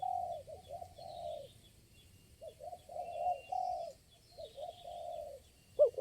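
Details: Spotted dove responding to a lure bird during trapping, heard more quietly: soft low cooing phrases of clipped notes and longer coos, with faint high chirps from other birds and a sharp sound at the end.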